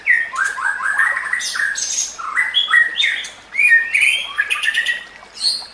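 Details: White-rumped shama song for training other shamas, over nature and water sounds: dense harsh and whistled phrases tumbling in quick succession, with short pauses between bursts.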